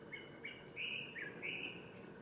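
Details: Male Japanese thrush singing at Ōbora spring, Lake Yamanaka, Japan, on 3 May 2017: a run of clear, fluting whistled notes with short slurred phrases, some rising and some dipping, over a soft background hum.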